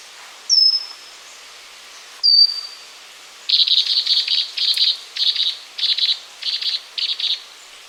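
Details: Singing pygmy wren-babbler (Pnoepyga pusilla): two shrill, downslurred whistles, then a sustained series of rapid buzzy, pulsed chirps in short packets, about two per second for several seconds. Light background hiss throughout.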